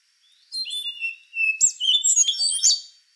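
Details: Rufous-brown solitaire, an endangered thrush, singing: a thin high whistled opening, then a rapid tumbling phrase of squeaky, slurred notes swooping up and down, in quiet surroundings.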